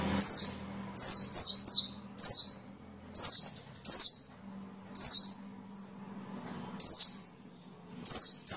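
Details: Sunbird recorded for training songbirds, giving short, very high, sharp downslurred chips, singly or in quick pairs, at irregular intervals over a faint low hum.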